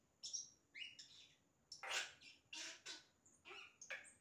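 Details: Yellow-rumped cacique singing imitations: short whistled notes followed by a series of loud, harsh, broadband bursts roughly every half second, mixed with thin high whistles.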